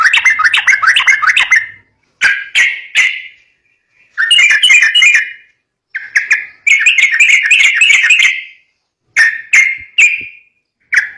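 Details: Song of a yellow-vented bulbul, played to stir up young birds, comes in chattering bursts of rapid liquid notes separated by short silent gaps, with a few isolated single notes near the end.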